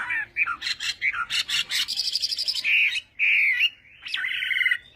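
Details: Chinese hwamei in morning singing practice: rapid run of rich repeated notes, then buzzy trills and sustained warbled phrases, loud and varied.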